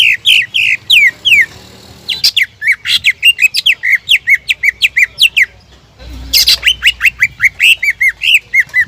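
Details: A greater green leafbird sings continuously as a lure for rival birds: long rapid sequences of sharp, upward-sweeping whistled notes, interrupted by a short pause near six seconds, with buzzy bursts at each restart.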